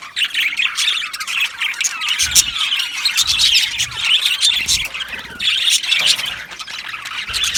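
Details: Australian budgerigars in an aviary colony warble and chirp busily, a rich mix of squeaks, trills and rasping notes in overlapping voices, with faint low knocks in the background.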